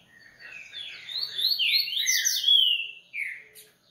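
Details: Double-collared seedeater singing a rapid, tumbling run of slurred, sweeping whistles and twitters, high and bright, building in loudness then ending with a short falling note.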